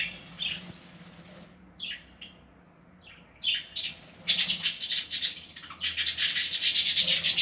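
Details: Budgerigars nesting in a home aviary: a few scattered descending chirps, then from midway a dense burst of harsh, noisy squawking chatter that runs to the end, over a faint low hum.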